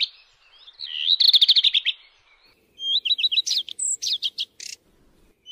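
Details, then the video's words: A redstart (Phoenicurus) gives two short, high phrases: a quick, buzzy trill of tight repeated notes, then a brighter jumble of rising chirps and whistles. "صوت طائر الحميراء// phoenicurus bird sound"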